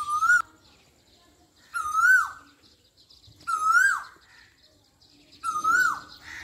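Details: Asian koel in Pakistan calling four times in a regular rhythm, about every 1.7 seconds: loud, pure whistles that rise steeply and cut off with a quick drop, over a quiet background.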